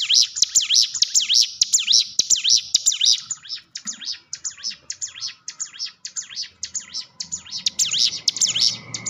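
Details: Training lure from a hill prinia: loud, quick zigzagging high whistles in tight bursts, fading into softer repeated phrases, then a brief strong burst near the end, with low rumbling background noise.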